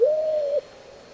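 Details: Single smooth, hollow whoop from a White-crowned Pigeon, the low cooing note held steady for about half a second before stopping abruptly, with quiet background.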